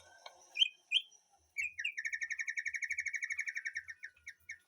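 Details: White-rumped shama in a backyard garden aviary: a couple of upslurred whistles, then a fast even run of about twenty bright repeated chips, fairly quiet, with faint thumps in the background.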